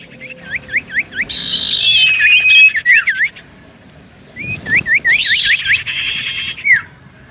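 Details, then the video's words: Common iora song played to provoke replies: a string of short hooked whistles, then a harsh buzzing chatter, a pause, and the same pattern of hooked whistles and buzz repeated. "Burung Cipoh Gacor Pancingan Paling Ampuh Bikin Burung Cipoh 5 Detik Langsung Nyaut"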